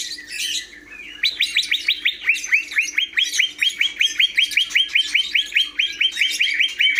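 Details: Long, even trill-like run of about thirty sharp, upslurred whistled notes from a cucak hijau, the greater green leafbird, after a brief warbled opening, over a low hum.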